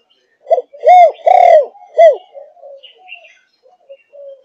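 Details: Spotted dove, four months old, Malaysian line in the thúc gù style. One strong phrase of four deep, bowed coos with a longer swelling middle note is followed by quiet trailing murmurs and faint chirps.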